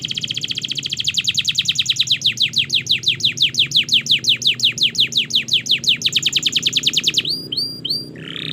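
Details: Canary in extended song for training young canaries: a long rapid trill of repeated notes lasting about seven seconds, then short upswept notes.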